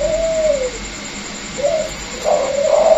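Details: Caged Vietnamese spotted dove, one of a pair including a former decoy bird and a newly caught wild bird, giving soft low coos: a drawn-out falling note, then shorter hooting notes, indoors with faint hum.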